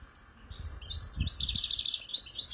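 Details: Wild-caught European goldfinch singing in Algerian bird keeping: a fast, high, jangling twitter of buzzy trills and liquid chirps, rising in strength, over low thumps in the background.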